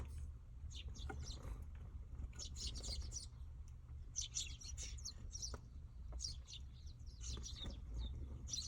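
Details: Baby Eurasian tree sparrows crowding a well-known feeding place: clustered flurries of sharp, high twittering chirps come in bursts every second or two, with a constant low rumble underneath.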